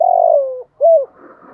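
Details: Spotted dove used as a decoy calling: a drawn-out, slightly falling coo, a brief pause, then a short, rounded rising-and-falling coo.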